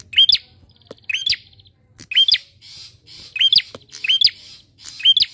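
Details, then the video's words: Lure song of a bar-winged prinia to get other birds singing: about seven crisp, hooked chirps in quick uneven succession, with breathy hiss between some notes. "PANCINGAN PRENJAK KLAWU GACOR!"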